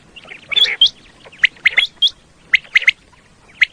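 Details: Common quail, a recording played to lure the birds for hunting in Pakistan: uneven clusters of two or three clipped notes, some high and hooked, others lower and rougher, with short silent gaps.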